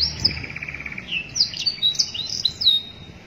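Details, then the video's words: Canary singing a master song used for training, AFS style: a buzzy mid-pitched trill opens, followed by scattered high whistled slurs and chips rising and falling. "cuitan kenari masteran suara kenari AFS"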